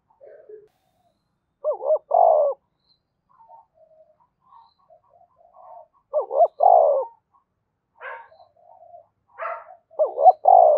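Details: Spotted dove, Dong Nai, Vietnam, calling and urging to stimulate decoy birds: low rolling coo phrases recurring every four seconds or so, interspersed with soft scattered notes and a few sharp higher chirps.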